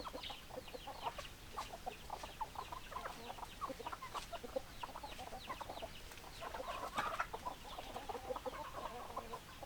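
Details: Many hens clucking together, a busy overlapping chorus of short clucks and squawks, with one louder drawn-out note near the end.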